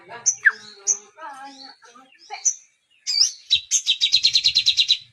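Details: Varied high whistles and slurred twitters come first, with a faint low murmur beneath. The sunbird then breaks into a fast, ringing high trill of repeated notes, in a song carrying a kapas tembak filling.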